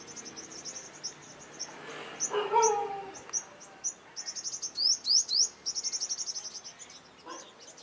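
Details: Olive-backed sunbird in a confrontation with dominant rival males at a trap: a rapid series of high thin chips, about four per second, building into loud rising upslurs and trills, with a soft low murmur in the middle.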